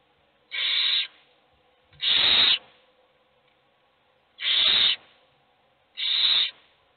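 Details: Owl chicks in a nest box beg for food with loud rasping hisses, four drawn-out screeches spaced irregularly a second or two apart, one quieter and higher than the rest.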